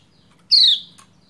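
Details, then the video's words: A single female Lombok white-eye (pleci), calling to stir a male into singing, gives one short harsh chirp that slides down from high to lower pitch; a faint click follows. "Ciak Ciak Pleci Lombok Betina Memanggil Jantan Supaya Cepat Gacor"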